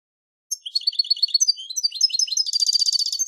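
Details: European goldfinch on a song tape, starting after a half-second of silence. The bird gives a hurried, tinkling twitter that grows into a sustained, buzzy rolling trill to the end.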